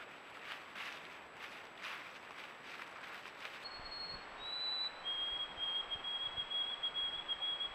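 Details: Song Sparrow singing in summer in the Greater Voyageurs Ecosystem, northern Minnesota: a few clear high notes lead into a steady, slightly buzzy trill. Rustling and breathy outdoor noise fill the opening seconds.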